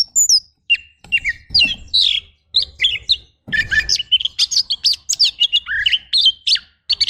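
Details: Kacer, the oriental magpie-robin, in rough fill-in training song: a dense, almost continuous stream of rapid scratchy chirps, twisting notes and harsh buzzy bursts with hardly any pauses.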